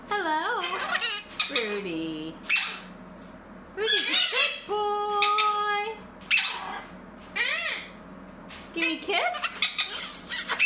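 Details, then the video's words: Pet blue-crowned conure vocalizing indoors: a varied run of harmonic squawks, wavering warbles and sliding whistled notes, some held steady, others swooping up and down, in bursts with short pauses between. "Conure Talking & Sounds | Blue Crown Conure Parrot Singing & Dancing"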